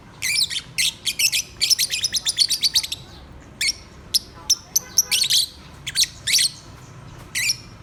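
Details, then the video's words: Lovebirds kept as pets chatter in fast runs of shrill, high tweets, a dense volley in the first three seconds, then scattered chirps and short squeaky bursts. "My Singing Love Birds"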